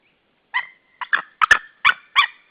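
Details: Estonian white-tailed eagles at the Saunja nest in March 2013, calling from the nest and a nearby branch; uneven bursts of harsh yelping notes, some doubled, about five groups in two and a half seconds.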